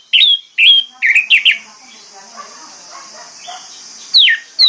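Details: Orange-headed thrush lure song for teaching mute birds to sing: several sharp, loud whistled notes, a stretch of low, quiet chattering, then a falling whistle and another clear note over a constant high hiss.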